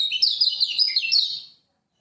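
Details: Lemon-bellied white-eye of Lombok, master song for luring silent birds into singing: a dense, rapid burst of high sweet warbling notes lasting about a second and a half, then silence.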